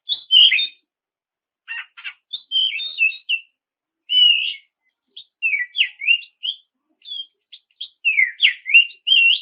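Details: Oriental magpie-robin in full continuous song used to goad rival birds into singing; scattered bursts of bright whistles and harsh chattery notes, twisting up and down, separated by brief pauses, in a quiet setting.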